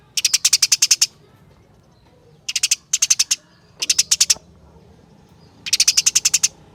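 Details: Caged house sparrow, prized by contest songbird keepers when it sings often, giving bursts of fast, high, dry chirps, each burst of about six to ten notes separated by short pauses.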